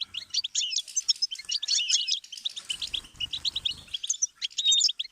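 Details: Goldfinch song played as a learning stimulus for songbirds: dense, rapid twittering of short chirps and buzzy notes with occasional clear whistled slurs, continuous throughout, plus faint low rumble near the end.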